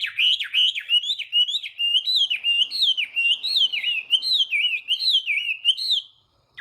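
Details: Morning song of a Chinese hwamei in voice training to provoke singing: a continuous stream of loud, clear, looping whistles that swoop up and down, repeated several times a second, ending abruptly.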